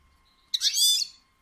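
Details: Female European goldfinch giving a batbata call, used to stimulate males to sing and mate: one harsh, buzzy, nasal burst of about half a second, rich in stacked rising tones, in a quiet setting.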